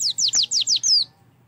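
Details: Oriental white-eye, used to prompt singing: five quick high downslurred whistles in a steady run, ending with a slightly longer falling note.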